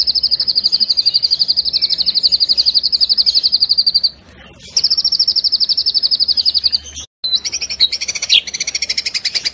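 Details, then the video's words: Lively white-rumped shama singing rich fill-ins with full rapid-fire bursts: a long, high, fast pulsed trill, a brief silence, a second trill, then an abrupt break into varied warbling notes. "MURAI BATU ISIAN MEWAH FULL TEMBAKAN"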